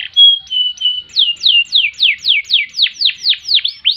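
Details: Vigorous canary song for tutoring and provoking birds: a few flat whistled notes, then a steady run of slurred downward-sweeping notes, about three each second.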